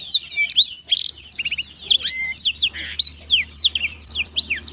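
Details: Black-throated canary singing melodiously, a fast continuous run of high, sharp whistled notes and twittering slurs, rising and falling, with brief trills, packed closely without pauses.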